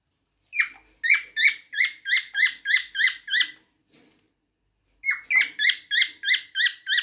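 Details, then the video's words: Cockatiel producing two runs of repeated, harmonic, scratchy chirps, each note falling slightly in pitch, about three notes per second, separated by a brief pause with faint low rustling. "تغريد طائر الكوكتيل"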